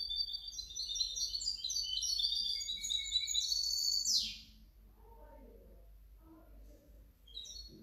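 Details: Hybrid goldfinch song recorded 2019–2020: roughly four seconds of dense, rapid chattering and trilled high notes ending in a downward rasp, then faint low background sounds.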